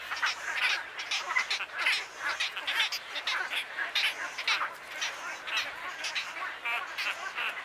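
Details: Wood stork chicks at Wakodahatchee Wetland in Florida calling on Father's Day, with loud rasping, nasal bursts that pulse about twice a second in an unbroken, scratchy clamour.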